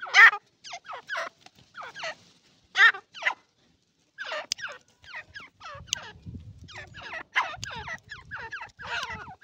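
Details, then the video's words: An Irani partridge gives rapid, raspy descending notes in clusters. Faint low rumbling sounds in the background during the second half. "irani teetar ki awaz❤❤ irani teetar ki voice"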